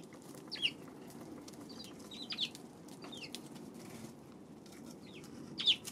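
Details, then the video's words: Eurasian tree sparrow recorded on 2 March giving a handful of brief, sharp, high chirps spaced a second or more apart, over faint clicking and low hum. "今日のスズメ 3月2日"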